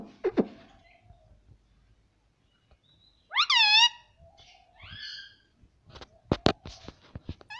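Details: Pet Indian ringneck parrot indoors; a loud, wavering, harmonic squawk-like utterance midway, followed by shorter falling notes, with sharp clicks and taps before and after.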